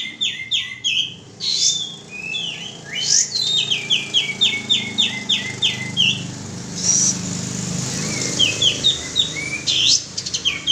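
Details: Kapas tembak bulbul lure call: long runs of clipped, rhythmic chirps repeated several per second, interrupted by a few louder bursts, with a low background rumble.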